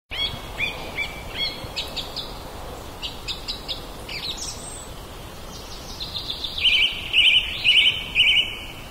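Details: Common blackbird (Turdus merula) singing in a back yard, captured on a Zoom H2n portable recorder: scattered high chirps and short whistled notes, ending in three louder twittering phrases, with steady background hiss.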